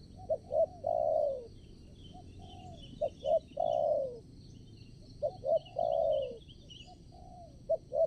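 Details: Spotted dove decoy calling during bird trapping at a fresh site. It gives three evenly spaced phrases: two quick low notes, then a long downward-sliding coo, with a faint whistling insect chorus above.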